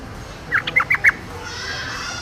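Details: Short phrase from a wild yellow-vented bulbul: five clipped, bubbly notes in quick succession, followed by a faint hiss of background noise.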